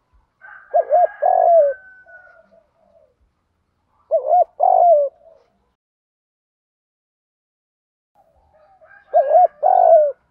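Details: Spotted dove kept as a decoy for luring doves, calling in the 'giọng đồng gù thúc' manner: three low phrases, each a short wobbling note and a drawn-out descending coo, spaced about four seconds apart; a faint higher thin tone above.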